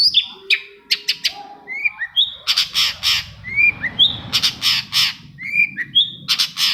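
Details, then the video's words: Long-tailed shrike song meant to stir other shrikes into singing: varied slurred whistles and mimicked-sounding notes mixed with loud harsh rasping bursts, lively and continuous. "CENDET MACET SUSAH BUNYI PASTI NYAUT KETIKA MENDENGAR TOETAN BURUNG CENDET INI"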